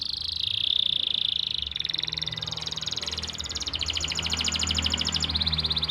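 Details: Canary from Pati, Central Java, singing as a training master for silent or young canaries: a steady high whistled tone, then rapid rattling trills that change pitch every second or so, with low background hum.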